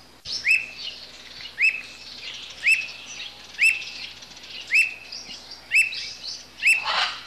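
A squirrel cuckoo gives sharp, clear whistled notes, one about every second in a steady series.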